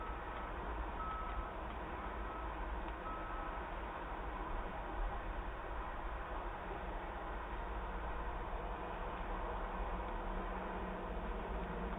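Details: Only a steady, dense rumbling hum with faint tonal lines is heard, and no animal calls.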